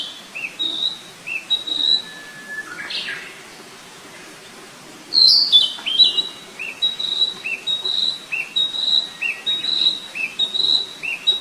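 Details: Wild flycatcher repeating paired high whistles, a level note answered by a lower downslur, over steady hiss; a brief clatter interrupts midway before the whistled couplets resume at a steady pace.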